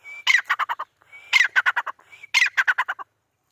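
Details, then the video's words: Female francolin of a home-bred, milk-white captive pair in Pakistan calling: three phrases about a second apart, each a thin, level whistle followed by a fast burst of five or six harsh, clipped notes. "teetar ki awaz | teetar sound | teetar female voice"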